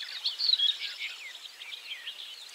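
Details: Barred warbler in leafy cover near 51.90, 20.30 (Poland) gives a fast, scratchy chatter of harsh, high notes that runs on without pause, with no other sounds around it.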